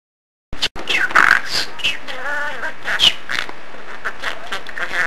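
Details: A pet male budgerigar chatters in a fast, scratchy warble, with clicks and speech-like phrases, apparently including "boss" and "good thing we're here".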